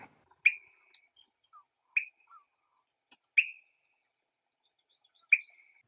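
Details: Swainson's Thrush in Maine giving its "bick" call: four short, sharp, liquid notes, each with a brief trailing ring, about one and a half seconds apart in otherwise quiet surroundings.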